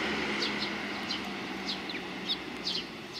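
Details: Several sparrows coming to be fed on the front approach of a Tenmangu shrine, 29 May 2020; short, sharp high chirps in scattered bursts, roughly two or three per second, over steady low hum and broadband background noise.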